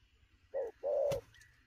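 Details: Spotted dove, wild-caught, cooing fast at midday: a short hollow coo followed by a longer sustained one, with a sharp click between and a faint high whistle behind.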